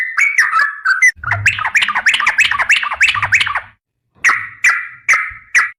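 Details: Sooty-headed bulbul of the garuda type, a vigorous gacor singer in long ropel style. It gives a loud, fast chattering run of sharp, bubbly notes, then pauses and adds a few longer, slurred whistled notes. A soft low rumble sits beneath.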